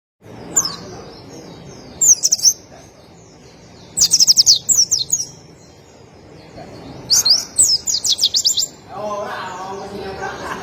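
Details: White-eye (Zosterops), known locally as pleci, singing in high, rapid twittering bursts of quick sharp chirps, about four phrases spaced one to three seconds apart; a low murmuring background noise rises toward the end.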